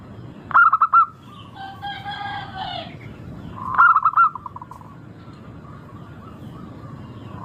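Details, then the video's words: Local zebra dove lure song for getting birds to sing: two short bursts of rapid rolling coos, separated by a harsher, drawn-out call from another bird. "Pancingan burung perkutut lokal Suara merdu kristal sangat ampuh bikin cepat bunyi langsung gacor"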